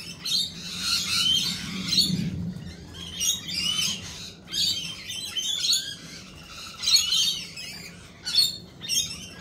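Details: Lorikeet calls come in harsh, screechy bursts about every second, high and raspy, with a low rumble in the background.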